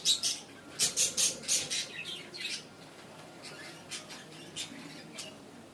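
Budgerigars give bright, scratchy chirps in quick bursts, a chattering exchange between a courting pair.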